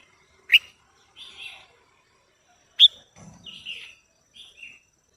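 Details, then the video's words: Female red-whiskered bulbul singing to arouse a male, with two sharp high clicks roughly two seconds apart, each followed by soft, burry warbled phrases. "Chào Mào Mái Hót Kích Trống Căng Lửa | เสียงนกกรงหัวจุกตัวเมียดังฟังชัดกระตุ้นนกตัวผู้หรือใช้ต่อคู่2"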